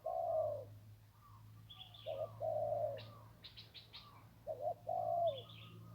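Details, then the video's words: Zebra dove of the kuk-style 'khu ang' cooing type, a clear single-kuk singer by the Ping River, Thailand, giving low rolling coos in bursts, each phrase a throaty trill then longer purring notes, with brief high chirps from other birds between phrases. "นกคูอ่างเจ้าเสน่ห์ริมปิง ได้นกโล่ง 1กุกขันเพราะๆ"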